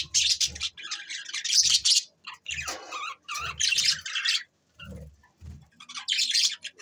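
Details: Several bursts of raspy, high budgie chirping on December 22, 2023, each lasting under a second, separated by short gaps with soft low thumps.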